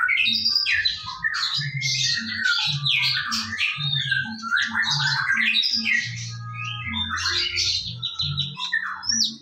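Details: Morning lure song of a white-rumped shama: dense, high, jumbled whistled and chattering phrases pouring out without pause, accompanied by a regular low thumping hum.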